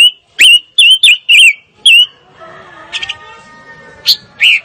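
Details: Fire-tailed myzornis delivering a burst of five loud, ringing whistled notes with a rising-falling inflection, then a quieter stretch with a soft hum and two more short whistles near the end.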